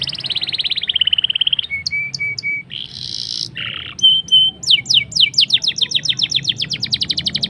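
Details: Black-throated canary singing briskly with rolls and sharp high bursts, a lure for getting canaries to sing: a buzzy descending trill, repeated flat whistles, a harsh rasp, then a long accelerating run of sweeping notes.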